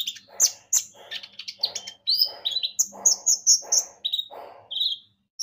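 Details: Javan white-eye in full lively song, used as a lure recording to set other birds singing: rapid high whistled and twittering notes, short bright trills and sharp chirps in quick bursts, with a soft pulsing lower murmur beneath.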